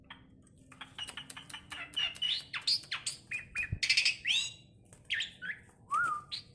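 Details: Tame, vocal jalak suren myna said to talk, giving a dense stream of squawks, harsh notes and varied whistled phrases, some rising and falling, with a low steady hum beneath.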